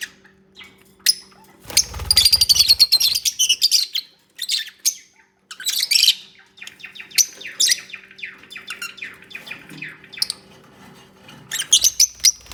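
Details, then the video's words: Bonding lovebirds keep up a lively stream of shrill chirps, rapid twittering runs and sharp squeaks. The activity is dense throughout, with a low thump near the start and a faint hum beneath. "Peaceful Lovebirds Moments | 20 Min Unedited Natural Bird Sounds for Relaxation"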